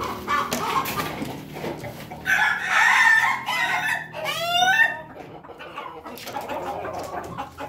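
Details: Pelung chicken crow: a loud harmonic crow mid-clip, followed by a rapid series of rising, rippling notes. Scattered clucks, knocks and faint background noise come before and after.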